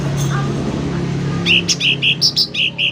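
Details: Sooty-headed bulbul in full song, used for training or luring: after a low hum, a quick run of short, bright, slurred chirps at a mid-high pitch, paired with faint higher overtones and spaced unevenly.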